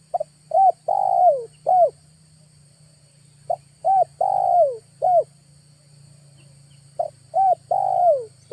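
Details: Three mellow cooing phrases from a spotted dove used as a lure in August, spaced roughly three seconds apart. Each phrase has a stutter, a short coo, a long falling coo and a closing note, over a steady low drone.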